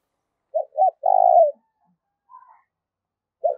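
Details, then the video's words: Decoy spotted dove calling to attract wild doves: two brief hoots then a long buzzy coo sliding down, a faint higher note after, and the next phrase starting near the end. "tiếng chim cu gáy mồi gáy gọi chuẩn kích bổi hiệu quả"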